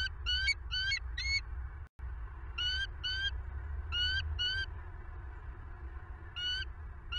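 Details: Bald eagles at a Southwest Florida nest, filmed by nest camera late at night on 25 November 2022: high, thin, piping chatter in irregular clusters of two or three bursts separated by pauses, over a low background rumble.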